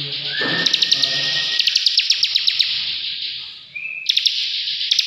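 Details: Bar-winged prinia (ciblek) pouring out a fast ngebren trill, high and buzzy with regular ticking notes, a brief rising whistle at the start and a short drop around four seconds.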